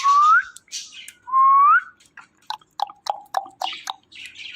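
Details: Indian ringneck parakeet kept as a pet, said to be talking: two loud rising whistled notes, then a run of short clipped chattering syllables with lower tonal bits, near a person's voice.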